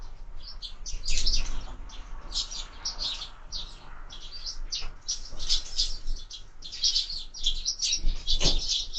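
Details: Sparrows at window-mounted feeders during feeding, a rapid busy stream of short high chirps, several birds overlapping, with a faint thump near the end.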